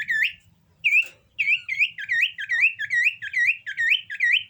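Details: Common iora in breeding condition gives a long sequence of about ten loud, clear whistles, each swooping up sharply, repeated steadily roughly every half second with a brief pause near the start.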